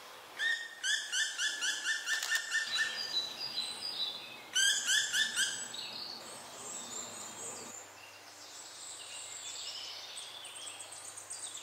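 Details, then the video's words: A juvenile black woodpecker that does not yet dare to leave the nest calls for food after its siblings fledged and the mother stopped feeding. Two runs of fast, repeated, rasping notes are followed by fainter, noisier calling. "Junger Schwarzspecht traut sich nicht raus."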